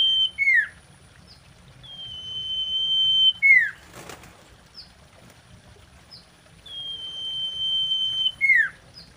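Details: Mating song of a female common iora, used as a lure to stimulate other ioras: long, level, pure whistles, each ending in a falling slurred note, repeated about every three seconds with brief flapping noise midway.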